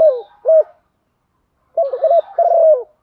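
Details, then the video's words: Female spotted dove giving a call meant to stimulate males to coo: two short coos, a silent pause, then a stuttering series of mellow notes ending in a long falling coo. "Tiếng chim cu gáy MÁI dùng kích chim trống rất xiêng gáy"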